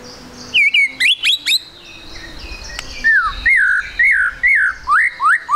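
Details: White-rumped shama singing in the rapid trotol style, used as a lure to make other shamas sing quickly: sharp high clicks and whips, then a series of slurred whistled notes repeated about twice a second.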